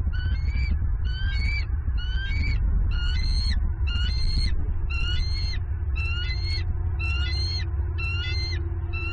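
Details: Female bald eagle at a Southwest Florida nest, November 27, 2022, calling while claiming a catfish delivered by the male. About ten sharp, whistled, slightly rising chirps come in a regular chattering series under constant low rumbling wind noise.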